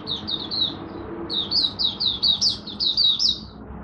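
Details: Malaysian oriental white-eye (mata puteh) in buka sing, its first warm-up singing of the day, recorded 01/08/2023: two bursts of high, thin, quick whistled notes, each slurred downward, with a short pause between the bursts.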